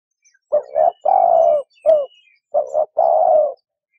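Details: Repeated dove coos: a short broken note leading into a long, steady, low coo, then another such pair after a brief single note, with faint thin bird chirps in the background.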